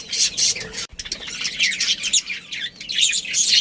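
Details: Budgerigars, a breeding pair with their family, chattering in a dense stream of high, scratchy chirps and warbles, overlapping and nearly continuous with one brief pause.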